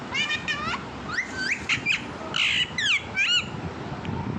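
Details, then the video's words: Pet parrot talking: a rapid run of harsh, harmonic squawks and swooping whistled syllables, some rising and some falling, packed closely over a background rumble. "my talking parrot love u"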